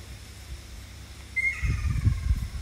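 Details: On Amami, a Ruddy kingfisher gives a single short call that starts high and trails downward with a ringing tail. Low rumbling noise, like wind or handling, follows.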